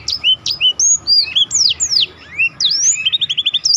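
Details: Black-throated canary in full song for contest-bird training, a dense sequence of sharp high slurs and upsweeps, closing with a quick rolling series of about eight short repeated notes.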